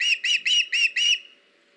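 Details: Osprey at a nest on a live camera, 21 August 2019, during a fish delivery by the male to the female; five clear, slightly arched whistles in quick succession, then a fading tail.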